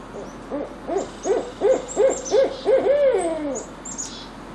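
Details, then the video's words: A great horned owl gives a quick run of six or seven low, evenly spaced hoots, then one longer hoot that slides downward; crows are said to be in the background. "let's listen to the sound of the great horned owl"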